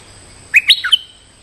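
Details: Territorial lure call of a stripe-throated bulbul: one brisk phrase of four gurgling, slurred notes rising then dropping, delivered after a short silence.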